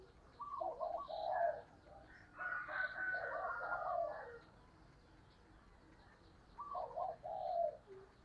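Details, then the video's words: Spotted dove decoy calling to provoke. Somewhat distant, mellow coos come in two phrases, with a busier burst of overlapping notes in between. There is a steady background hiss. "cu mai gay kich boi nhanh noi"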